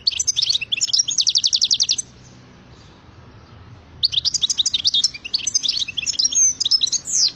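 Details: European goldfinch in full song: a fast run of evenly repeated high chips, a pause, then a long stream of rapid liquid twitters, trills and tinkling notes.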